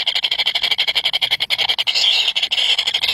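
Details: Hungry nestlings, three of them, keep up fast, shrill pulsed cheeps, the pulses stuttering quickly, then blurring into a steadier high squeal near the end.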